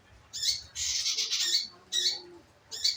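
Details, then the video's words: Scarlet minivet, used as a lure recording to get the bird singing. Short high notes alternate with a longer, harsher burst of shrill sound lasting nearly a second, then two more brief bright notes. "pancingan burung manggaran agar maun bunyi"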